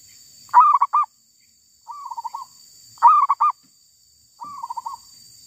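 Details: Wild female zebra dove repeating a loud phrase of three or four clipped cooing notes, each followed by a quieter rolling trill, about every two and a half seconds, over a steady high background hiss.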